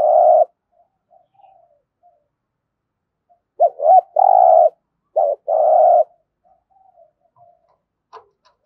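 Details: Spotted dove in Đồng Nai, Vietnam, in competition cooing (thúc gù): a long steady mid-pitched coo, then after a pause a quick pair of short hooked notes followed by another long rolling coo, with faint softer notes between.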